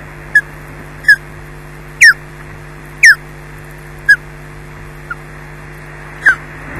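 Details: Osprey at the Loch Garten nest on 4 May 2012 at 17:27, returning to push its mate off the eggs, filmed by a live nest camera: sharp, descending whistled chirps repeated roughly once a second over a steady low hum.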